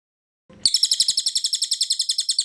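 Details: Cililin or cucak kinoy singing vigorously in ngebren style, used as a training recording: a rapid, very high burst of buzzy trilled notes, repeated about seven times a second after a short soft lead-in.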